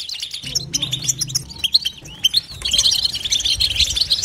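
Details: Goldfinch singing batbata-style chatter: scattered high chirps and twitters give way to a dense, buzzy burst of rapid notes near the end. A faint low hum sounds early on.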